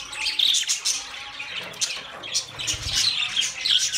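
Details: Budgerigar chatter of high, thin chirps and scratchy warbles, with a couple of clear whistled notes standing out over a busy background of other budgies.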